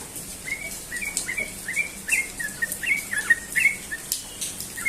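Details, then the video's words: Rapid 'ropel' morning song from a Sooty-headed bulbul in Indonesia: a lively, uneven chain of short chirping and slurred whistled notes, nearly three each second, with brief louder peaks. "burung trucukan ropel pagi"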